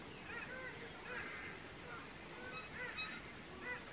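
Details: At a display tree where males dance for females, red birds-of-paradise give loud, nasal, honking notes that rise and fall and overlap in a chorus, with a steady high insect whine behind them.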